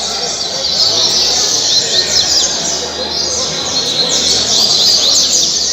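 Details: Coleiro, a Double-collared seedeater, kept in captivity at Mambucaba park, Angra dos Reis, Brazil, singing in the caribe style: a fast stream of high, chirping, sweeping notes against constant background noise.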